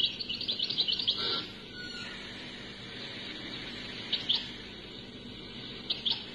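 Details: Unedited cassette playback of European goldfinch song from Algeria: an opening rapid twitter lasting over a second, then hiss with two short chirpy fragments later on.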